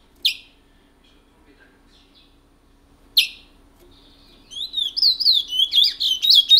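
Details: Long-kept picolette from French Guiana, singing the rare Matiti regional style: two isolated sharp notes separated by silence, then a flowing series of rapid, loud, sweet warbled whistles.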